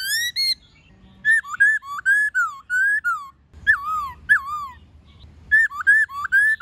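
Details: Many-voiced forest-style laughingthrush song with a female nearby, meant to coach young wild-caught birds. Rich looping whistles come in bursts separated by short gaps, with a faint low rumble underneath.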